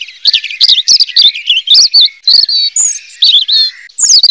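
A robin sings a fast, continuous warble of high, looping whistles and sharp chirps, tumbling rapidly from one note to the next.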